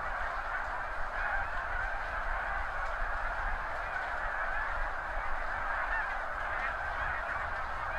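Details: Thousands of snow geese leaving spring fields by the seaway at once at high tide, recorded with a Nikon D7000 and Azden SMX-10 microphone; a steady roar of massed nasal honks, occasional clearer yelps on top.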